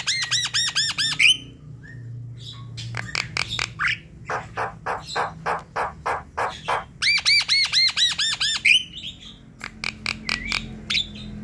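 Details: Javan myna, a lively singing bird used to prompt a reluctant bird to call at night; a run of fast looping whistled notes, then a long series of harsh rasping chatter bursts, another whistled looping run, and scattered sharp clicks.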